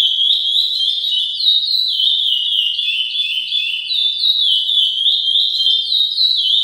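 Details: A chestnut-bellied seed finch being conditioned into singing form sings a continuous, clear, whistled warble of rising and falling notes, phrases flowing without pause, no other sounds heard.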